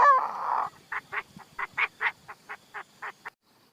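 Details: Decoy Chinese francolin, recorded in 2023. A drawn-out rasping note gives way to a steady sequence of short hoarse clucks, roughly four per second, ending abruptly in quiet.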